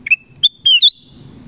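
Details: Forest-dwelling black-crested bulbul: a single brisk whistled phrase, three short notes stepping upward into a longer bright note that trails off as a steady thin tone.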